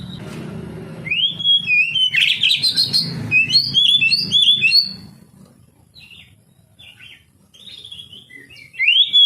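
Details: Song of an oriental magpie-robin for encouraging idle young canaries to sing: starts under low rumbling noise, then a dense spell of upslurred whistles and scratchy chatter, fading to scattered soft notes before a loud closing whistle.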